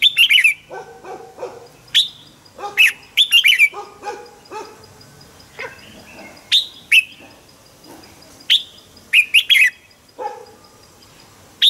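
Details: A red-whiskered bulbul, a decoy bird singing in the morning, gives bright, bubbly phrases of short, sharp whistled notes in quick bursts every second or two, with softer warbled notes in between.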